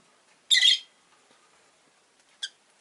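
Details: Caged pet rosy-faced lovebird kept near a window with four others, uttering one loud raspy shriek and, about two seconds later, a short sharp chirp.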